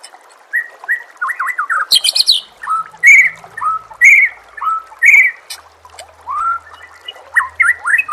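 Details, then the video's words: White-rumped shama singing in a training recording with nature sounds and trickling water: loud clear whistles, some looping and upslurred, repeated roughly once a second, broken by a harsh buzzy burst and brisk high notes. "suara MASTERAN burung"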